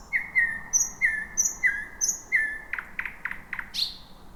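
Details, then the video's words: Thrush nightingale's night song from thick bushes: evenly spaced flat whistles with high partners, then a quick burst of hard knocking notes and a final rising squeak. "Whippavoo the Thrush Nightingale 2026"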